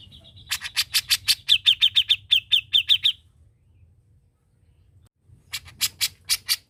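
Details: Singing grey-cheeked bulbul with a fluent, practised voice: a fast run of about fifteen sharp, bright repeated notes, a pause of two seconds, then another short burst of five notes; faint low hum behind.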